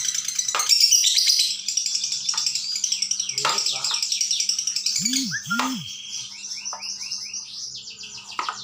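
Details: Lovebird ngekek song used to tutor young birds: fast, high, rattling chatter broken by short gaps, with several quick falling notes and two brief low swooping sounds near the middle.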